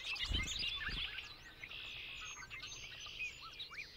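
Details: Bobolink, a blackbird family member, heard through background noise: jumbled bubbling notes and a sustained buzzy stretch, with low thumps near the start.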